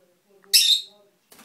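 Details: Pet bird giving one loud, harsh, rasping screech lasting about a third of a second, and the start of another cut off at the end.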